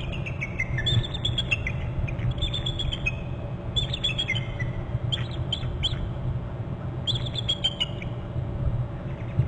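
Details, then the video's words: Bald eagles alerting at a nest on Hornby Island, the male having flown in to a short branch and both birds calling: high, thin descending chittering series, repeated in bursts about every two seconds, over low steady background rumble. "dad in from the left to the short left branch and both alerting"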